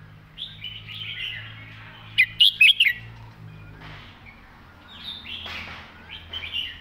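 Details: Red-whiskered bulbul in clear master-pattern song, each phrase sharply articulated: a quick run of four loud, lilting whistles, then fainter chirping phrases trailing off, with other birds softly in the background.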